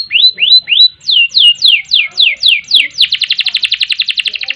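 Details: Canary in full long song of the ngerek and ngerol styles, a master song for training birds: clear downslurred whistles about three per second, then from three seconds a fast buzzy rolling trill.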